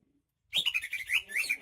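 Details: Greater green leafbird (cucak ijo) from Banyuwangi in full song: a rapid run of varied, slurred whistled notes, rising and falling and tumbling continuously without pause.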